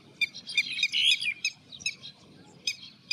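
Red-wattled lapwing giving sharp, high, strident notes in quick irregular bursts, with a brief rapid flurry midway over a low background rumble.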